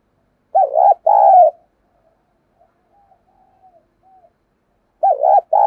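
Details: Decoy spotted dove in a 'giọng thổ' voice, cooing to lure and provoke wild doves: a quick wavering note, then a longer steady coo, repeated after a four-second silence.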